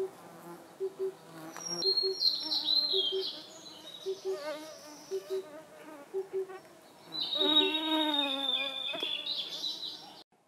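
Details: Blue-and-white flycatcher song recorded in Khingan Nature Reserve, Amur Oblast, Russian Far East: two whistled phrases, the second richer and buzzier, over a constant background of Oriental cuckoo double hoots repeated about every second.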